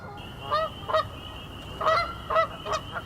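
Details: Wild Canada goose, a North American bird, calling with loud, guttural honks: about six short harmonic-rich blasts in irregular pairs and singles, with a steady high tone running underneath.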